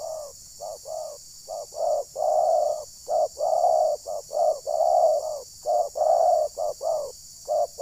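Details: Spotted dove decoy calling while trapping wild doves at Ujung Batu, Rokan Hulu, provoking wild birds. Rapid runs of mellow, low hooting coos in short and drawn-out notes, grouped in irregular bursts, with steady high hiss behind.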